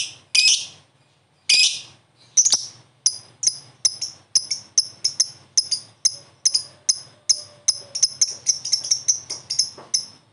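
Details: Lovebird responding to another lovebird: three loud, harsh, broadband squawks with short pauses between them, then a long series of crisp high chips that quicken toward the end, with a faint low hum.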